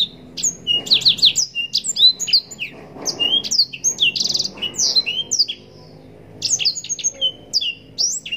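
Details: Yellow-rumped serin (blackthroat) in lively, long-running song with rich variations, used as a training recording for contest birds: rapid high whistled notes and sharp rising and falling slurs in quick bursts, a brief pause near six seconds, then more.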